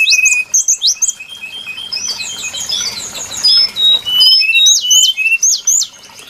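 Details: Trapping lure of the brown-chested jungle flycatcher: sharp, high hooked whistles repeated in quick pairs, interleaved with softer warbled notes and a few long level whistles.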